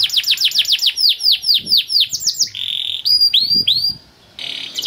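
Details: Canary 'cuit cuit' song with rows of quick descending chirps, a short buzzy note and swooping whistles, set against faint background rustling.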